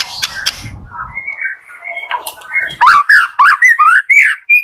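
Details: Morning white-rumped shama song meant to prompt shamas that are slow to sing: soft, wavering whistles build into a loud, quick series of sliding whistled notes, with faint low rustling at the start.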